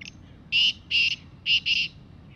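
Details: Harsh rhythmic call of a free wild black francolin in jungle: brief opening note, then four loud raspy bursts, last pair quickly run together, low quiet hum behind.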